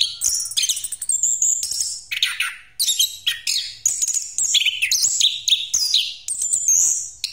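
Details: Orange-headed thrush lure song in a rolling pastol style: quick series of high, buzzy and whistled phrases, many sliding downward, repeated with short gaps between the bursts.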